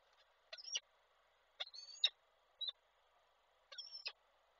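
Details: Peregrine falcon at Koszalin on 16 February 2024, a male calling the female while delivering prey, from an online camera. Four calls: strained whining tones framed by harsh sharp clicks, plus one short high note.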